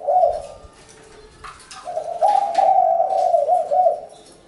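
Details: Vietnamese spotted dove giving a short coo, then a pause with a few soft clicks before a longer run of throaty, rolling coos that rise and fall slightly in loudness.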